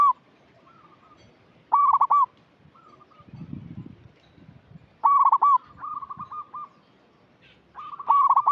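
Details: A strong-voiced local zebra dove gives a lure call for untrained birds. Bursts of fast, clipped cooing with a rolled ending come roughly every three seconds, and softer sustained coos follow each one. A brief low rumble is heard midway.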